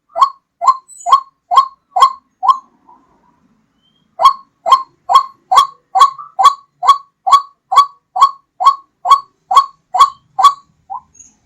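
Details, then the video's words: Loud, clear white-breasted waterhen call used to lure birds for hunting: two runs of repeated harsh ringing notes, roughly two per second, separated by a brief silence. "SUARA PIKAT RUAK-RUAK JERNIH DAN KERAS"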